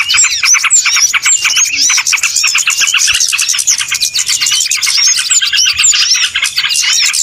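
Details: Recording meant to lure small birds for trapping: a continuous crowded twittering of many high chirps and thin whistled slurs, steady and loud from start to end.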